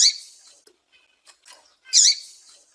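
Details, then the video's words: Female double-collared seedeater calling out to a male, giving two sharp high chirps about two seconds apart, with faint soft ticks in between and a quiet background. "FÊMEA DE COLEIRO FOGOSA PIANDO E CHAMANDO MUITO ESQUENTE SEU COLEIRO"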